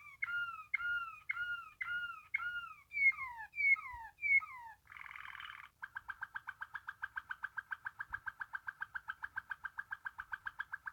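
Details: Waterslager canary, a Belgian song canary breed known for water-like, deep, soft singing: repeated falling whistled notes about twice a second, a brief burst of noisy sound, then a fast even bubbling trill.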